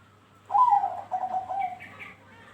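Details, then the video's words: A single song phrase from a Bangkok-strain zebra dove, played to stimulate other doves to sing: a bright opening note falling into a quick, bubbling run of soft coos lasting about a second and a half, with faint chirping behind. "Pancingan Burung perkutut Bangkok bikin Rajin ikut Bunyi"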